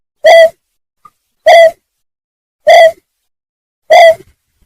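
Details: Greater painted-snipe call, used as a lure for trapping: four loud, hollow hooting notes, each short with a rich harmonic ring, spaced about every 1.2 seconds over near silence.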